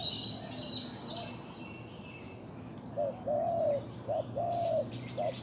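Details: Spotted dove calling, recorded in Thailand: a few soft, mid-pitched coos in the second half, some short and some drawn out, under steady insect buzzing and a background hum.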